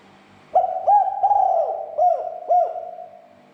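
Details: Spotted dove call, used to rouse other doves to become agitated and call. A single phrase of about five soft, hollow coos, with the middle notes drawn out and the last two short and evenly spaced.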